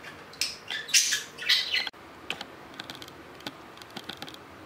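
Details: Pet budgerigar kept at home: a burst of harsh, scratchy squawks and chirps in the first two seconds, then quiet room tone with scattered light clicks and taps.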